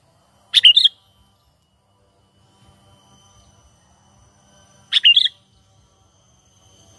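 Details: A natural call of the sooty-headed bulbul, used as a lure for trapping. Two quick, gurgling phrases come about four seconds apart, each a sharp note leading into a curling chirp. Faint low rustling is heard in between.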